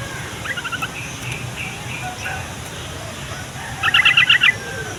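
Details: Lure song of a yellow-vented bulbul, meant to make young or lazy bulbuls sing and to attract wild ones: a faint chattering phrase, then a louder, rapid bubbly run of about six notes, amid constant noise.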